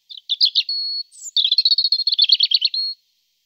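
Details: European robin (Erithacus rubecula), song.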